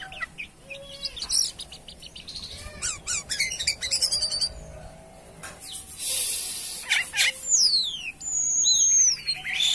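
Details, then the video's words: Jalak kapas myna singing actively (gacor): scattered high chirps, sharp clicks and buzzy bursts, then long smooth falling and rising whistles toward the end, with a faint low hum in the background. "Burung Jalak Kapas Gacor"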